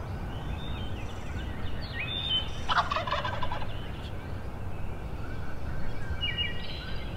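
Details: Wild Eastern turkey gobblers on a hill in Pennsylvania during the 2022 spring gobbler season opener: one distant, rattling gobble midway, under a heavy low rumble of wind-like noise, with thin high songbird notes around it.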